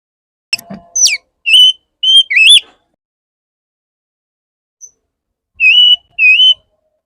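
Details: Male Oriental magpie-robin courting a female: sharp descending whistle, then pure wavering whistled notes in short phrases separated by silence.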